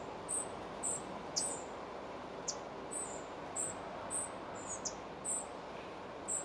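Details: Near Moscow in July 2023, a spotted flycatcher nest during feeding: about ten thin, very high notes spaced irregularly, broken by a few sharp clicks, over a constant low background murmur.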